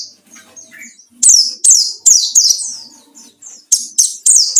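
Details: Rapid white-eye song used to entice rivals, a fast run of shrill downward-slurred chirps coming several per second after a quieter start.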